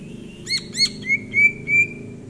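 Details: Relaxed greater green leafbird song from January 2022: two quick ringing chirps followed by three long, level, pure whistles, evenly spaced about a third of a second apart, with a faint low background hum.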